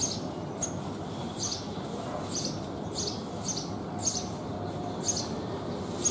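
A house sparrow gives short, high chirps about once a second, over a steady low rumble of traffic.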